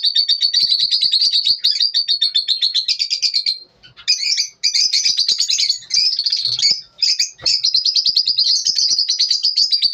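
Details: Lovebirds singing in the morning: a steady rapid train of high chirps, then a pause, followed by scratchier squeaky calls and renewed fast twittering.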